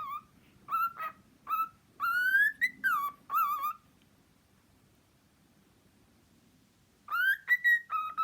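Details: Pet cockatiel giving clear whistled notes, rising and falling slides in quick phrases, then a long silent gap of about three seconds before another burst of rising whistles; quiet room background.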